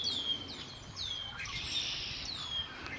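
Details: By Lake Erie, birds give sharp downward-sweeping whistles and quick chirps in rapid succession, several singers overlapping over quiet background noise.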